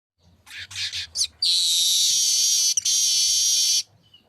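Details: Streaked weaver song used as a training recording for songbirds: a few short dry chattering bursts, then a long loud sizzling buzz of about two and a half seconds with one brief break.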